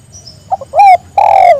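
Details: Close, loud spotted dove coo inviting others to join in: two tiny soft notes, a swelling coo, a short gap, then a long steady hollow coo; a faint high squeak early on.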